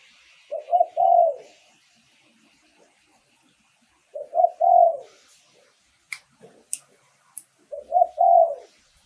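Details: Decoy song of a spotted dove for luring wild doves: three low three-part coo phrases roughly every 3.7 seconds, with a faint high hiss and a few sharp clicks between phrases.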